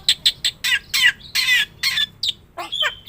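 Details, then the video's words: Black-winged myna in energetic song, played as a lure and training master to set other birds calling: a run of loud, harsh, broadband chattering bursts, about eight in three seconds, ending in rising and falling whistled slurs. "suara top jalak putih gacor - sekali putar bikin bunyi semua burung - masteran - pancingan"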